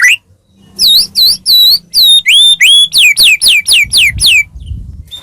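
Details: White-rumped shama, caged, singing as a lure to make another bird respond: a string of loud downslurred whistled notes repeated several times a second, ending with a faint rustle.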